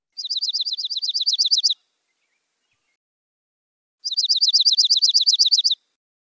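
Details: Dark-eyed Junco giving two ringing, metallic trills on one pitch, likened to a car alarm, each about a second and a half of rapid repeated notes, with silence between.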